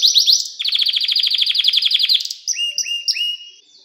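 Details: Canary song used to train young canaries: quick descending notes, a long fast rolling trill of evenly repeated syllables, then separate whistled notes with hooked endings.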